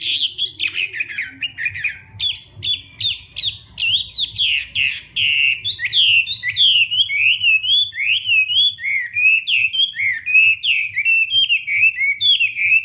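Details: Morning training song of a Hwamei for competition singing, a long run of loud whistled notes, at first falling and buzzy, then quick clear repeated up-and-down slurs about every half second, over a soft low hum.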